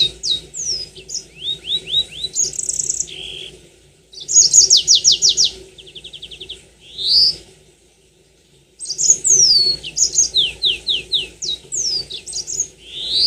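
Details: Extended Yellow-fronted canary song used as a lure: varied high trills, buzzy rattles and swept whistles in two long phrases separated by a brief silence, with constant low background hum.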